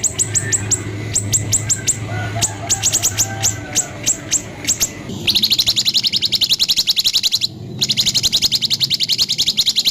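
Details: White-rumped shama training sound: clusters of sharp high clicks in quick bursts over a low hum, then a long, fast, buzzy rattle of repeated notes.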